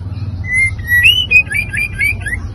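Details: White-rumped shama, a training recording meant to provoke other birds; clear whistled notes, some long and level, others rising, then quick varied slurred phrases over a low steady hum.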